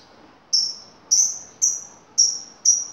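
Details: Used to lure an answer, lovebird calls come as five sharp, high, slightly falling chirps, evenly spaced about half a second apart, on a quiet background.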